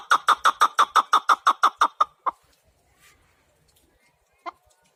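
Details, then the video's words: Evenly spaced, loud chukar partridge notes, about six a second, run for two seconds and then stop abruptly. Near-silence follows, broken by one later note. "Кабки сурак кариб маст шавад Keklik الحجل Куропатка Partridge"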